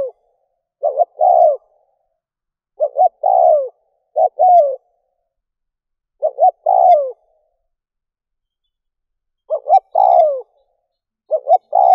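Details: Decoy spotted dove calling to lure wild doves, with six low cooing phrases over twelve seconds, each two brief notes then a long falling coo, spaced irregularly with quiet pauses between.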